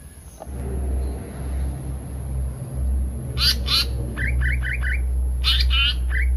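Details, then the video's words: Pied fantail lure recording, the bird known as seriwang or tali pocong: low rumbling background, then paired harsh scratchy notes and a string of short rising chirps. "suara pikat burung seriwang/tali pocong"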